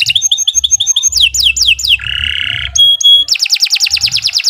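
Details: A canary sings a varied, unbroken song used as a tutor for other birds. It has repeated short piping notes, falling sweeps and a lower buzzy trill. A held pure whistle follows, then a rapid high trill, with faint low noise beneath.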